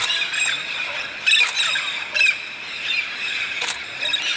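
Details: Migrating red-spectacled parrots in large flocks over the Santa Catarina highlands, Brazil, feeding on pinhão; a raucous din of many screeching birds, with strident squawks standing out about once a second.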